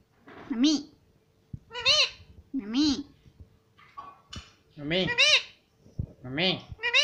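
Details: Pet parrot indoors, said to say words like mummy, papa, mithu and good morning: a run of short, speech-like syllables in rough phrases, each rising and falling in pitch, with brief pauses and faint room noise.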